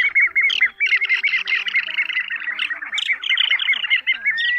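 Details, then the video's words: Compilation of various plover species' calls, used as a lure for night-net trapping: rapid runs of short, clear whistled notes around two per second, overlapping in a busy chorus with a faint hum underneath. "Tiếng Choi Choi Các Loại Tổng Hợp"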